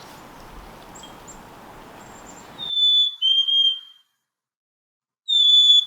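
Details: Black-capped Chickadee in winter giving clear, pure whistles, a high note dropping to a lower one, repeated after a pause; wind-like rustling before. Chickadees had just moved up to the treetops, calling to each other.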